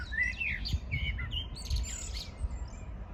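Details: Birdsong on a morning of 14 June 2022: quick sweeping whistles and warbled notes in a short burst, followed by softer high twitters, with a low rumble in the background.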